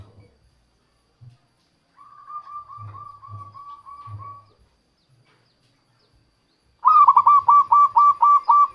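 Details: Local zebra dove singing as a lure for trapping wild doves. A soft even run of cooing notes comes first, then a loud phrase of about eight fast, clipped coos near the end.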